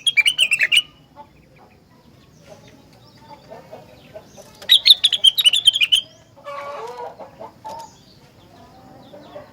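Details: Rengganis singing vigorously, said to draw other rengganis into song: two rapid volleys of high chirping notes about four seconds apart, separated by soft low clucks, with a rasping chatter near the end.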